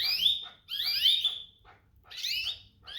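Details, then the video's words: Domestic canary giving bright chirped calls, each a sweep falling and then levelling off, in three bursts over about three seconds with short gaps of near silence between them. "domestic canary birds"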